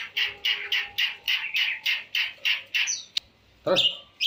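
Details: Long-tailed shrike, phone recording of its full-variation song: a run of about eleven harsh, even notes repeated roughly every quarter second, a sharp click, then a brief human voice and a high whistle.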